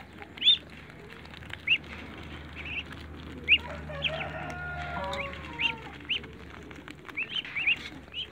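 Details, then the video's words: High, rising-falling peeps from Muscovy ducklings leaping for eggs in a backyard, spaced a second or so apart, with a few sharp louder notes. A low hum and a faint tonal whine sit beneath them. "BABE DUCKS JUMPING TO EAT EGGS MUSCOVY DUCKS IN THE BACKYARD"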